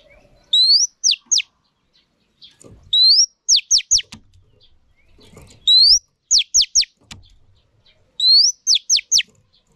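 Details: Female chòe than, an Oriental magpie-robin, voice used to excite male birds: four phrases about every two and a half seconds, each a rising whistle then two to four crisp downward-swept notes, with faint knocks in the background.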